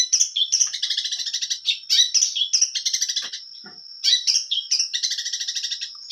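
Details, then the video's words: Lively Long-tailed shrike song rich in material: whistled upslurs leading into dense rattling trills, a short quiet gap, then more squeaky phrases and buzzy rattles, with a steady thin high tone behind. "cendet gacor full materi suara jernih"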